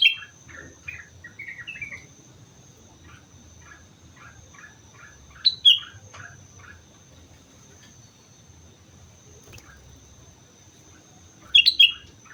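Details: Sooty-headed bulbul on Mount Slamet sings in bursts: a rapid series of soft chipping notes, with two loud, bright whistled phrases about six seconds apart, the rest quiet.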